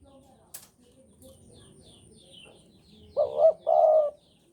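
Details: Spotted dove from Java, singing keenly in breeding mood: after a soft background murmur and a sharp click, one low two-part coo phrase ends the clip, a trembling note and then a sustained one.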